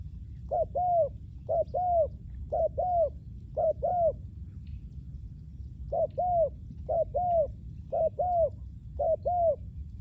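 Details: Spotted dove calling in a ground-luring setup for wild doves. Paired coos come in two bursts, each pair a quick note followed by a longer downward-bending one, repeated about once a second with a short pause midway.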